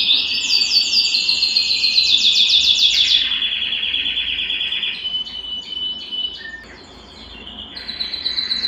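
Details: Home canary singing in mating excitement: fast, loud chattering trills for three seconds, then a lower steady rolling trill, brief whistled notes and a short quiet pause before another phrase begins.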